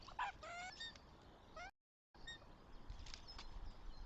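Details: Northern goshawk at its nest in Tartu, Estonia, on 26 April 2025, gives a few harsh, rising, nasal calls in quick succession, then falls quiet; a fainter call follows over steady wind and rustling.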